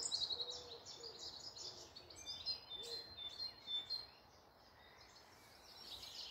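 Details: Birds in a North Yorkshire wood near Malton at morning: high chirps and short thin trills crowd the first four seconds, then fade to a quiet background of distant twittering.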